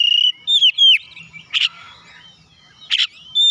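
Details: Oriental magpie-robin recorded to make caged birds sing. A steady whistle and a few sliding notes give way to two separate harsh, noisy bursts with quiet gaps between them.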